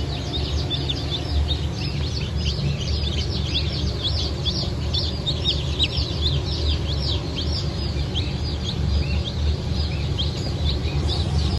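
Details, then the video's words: Cream Legbar and Rhode Island chicks from a 29 August 2024 hatch, many calling together: a sustained flurry of sharp, high, downward-slurred peeps over a constant low mechanical hum. "Yeni Çıkım 29.08.2024 – Cream Legbar,Rhode İsland"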